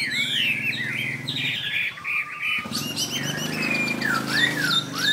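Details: A Chinese hwamei delivers varied whistled phrases, some slurred and looping, others clear rising and falling notes, over a steady low hum in the background.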